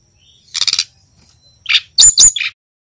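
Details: Juvenile male Brown-chested jungle flycatcher from Bali practising song: a scratchy, chattering high burst, a pause, then a buzzy lower note followed by loud harsh sharp notes and a final slurred note, over a faint steady high hiss.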